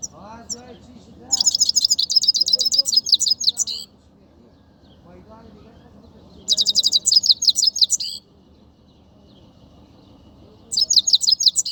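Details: Himalayan goldfinch in Quetta singing bright, tinkling twittered phrases in three bursts of two to three seconds, with quiet human voices murmuring in the background.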